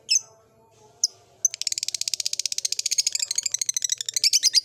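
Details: Caged lovebird of the blue ice type in an old cage, starting to ngekek: a few sharp chirps, then a long fast chattering trill of high buzzy notes repeated about fifteen times per second, with faint low hum behind.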